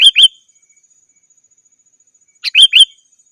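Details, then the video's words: Sooty-headed bulbul giving its rival-challenging call, used to attract wild birds in forest and as a tutor for birds at home; two short bubbly note pairs separated by a long silence. "Suara Burung KUTILANG GACOR 100% Ampun Untuk Suara Panggilan dan Masteran"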